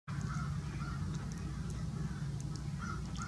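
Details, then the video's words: Crows harassing a Great Horned Owl of the taiga form at Grand Forks, North Dakota, on April 20, 2018; short harsh caws come in irregular bursts over a loud, steady low rumble. "Great Horned Harrassed by crows"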